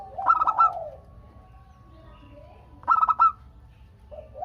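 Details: Local zebra dove singing eagerly, played to prompt answering calls from other doves. Two bursts of rapid, rolling coos about two and a half seconds apart, with a thin steady whine lingering after the first.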